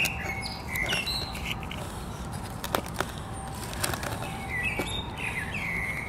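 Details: Common blackbird singing clear fluted whistled phrases that slide between mid and high notes, with short gaps and a few higher twittering notes, over a steady low background rumble and scattered clicks.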